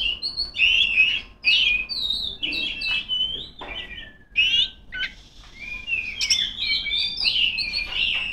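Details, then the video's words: A female oriental magpie-robin in full song, calling rivals with loud, continuous, varied whistles, slurred down-sweeping notes and scratchy chatter, rising and falling in strong bursts. "suara burung kacer gacor ngeplong memanggil lawan"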